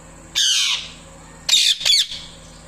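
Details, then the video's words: A parrot calls out to a male parrot with a drawn-out harsh squawk, then after a short gap two quick grating chirps close together. "Parrot Chirping Loud | Chirping Sounds | Parrot Calling"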